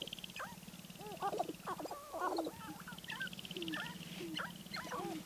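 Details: Sharp-tailed grouse near Baudette, Minnesota: a busy overlapping mix of hooting, rising and falling nasal whines and clucks, over a steady pulsing rattle and a low droning hum throughout.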